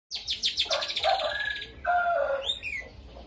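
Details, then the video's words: Lovebird in lively gacor song, filled with starling-style phrases, used to rouse silent lovebirds: rapid buzzy chattering trills in a fast pulsing series, then a harsh nasal drawn note and a short upslurred whistle. "BURUNGnya LOVEBIRD,suara unik"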